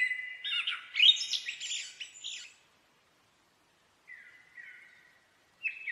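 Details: The blackbird opens with a whistle, then a jumble of scratchy high twitters. After a silence, a softer low warble and a brief new phrase follow, with no background noise.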